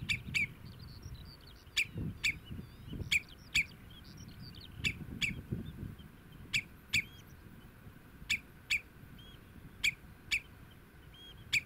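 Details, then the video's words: Common redshank among meadow birds, adults with young, filmed from a distance, gives sharp, high piping notes, often in quick pairs, repeated about twice a second over a low rumble of wind. "Leer de tureluur herkennen (volwassen en jong) in beeld en geluid"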